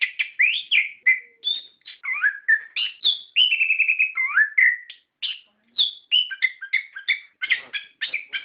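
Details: Orange-headed thrush in continuous, rolling gacor ngerol song, used as a lure to stir captive birds into singing: a fast stream of varied whistled phrases, some rising, some sliding down, with a few sustained steady notes and no pauses.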